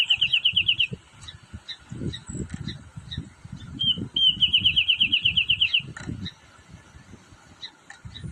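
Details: Two rapid runs of sharp, evenly spaced high notes from a Wrentit playing on a branch, the first short, the second longer and preceded by a couple of slurred notes, over constant low thumping noise.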